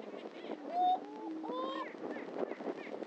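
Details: Greater prairie-chickens at a historic lek on Dunn Ranch Prairie, Hatfield, Missouri: two drawn-out rising whoops over a low hooting hum and soft clucking.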